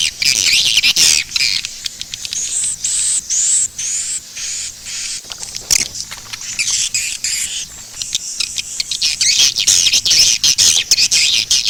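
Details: Swiftlets in the SP. KADITA calling track used by swiftlet farmers: a busy wash of high, shrill chattering twitters with brief gaps and clicking bursts, steady and loud across the whole stretch.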